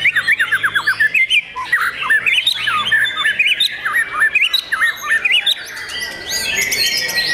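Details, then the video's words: White-rumped shama, a young caged bird, opens with a quick series of rhythmic repeated downslurred notes about five per second, then shifts into looping whistles and chatter. "MURAI BATU PRESTIS SI MURAI MUDA YANG SPESIAL!!!"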